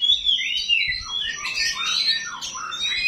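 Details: Oriental magpie-robin of the 'kacer rawit' kind in its coarse 'isian kasar' fill-in, a lure for other magpie-robins; dense smeared warbling with descending slurs and buzzy overlapping notes, faint low background rumble.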